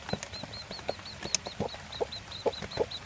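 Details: Day-old chick peeping next to its mother, a mostly Plymouth Barred Rock hen, father a Barred Cochin: quick series of thin, high, arched peeps about four per second over soft, low clucking from the hen.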